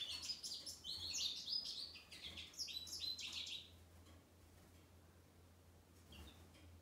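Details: Male American goldfinch singing on the day of his release after 21 days of medication for a Mycoplasma infection: a rapid jumble of high twittering, warbled notes for about four seconds, then quiet with a faint low hum.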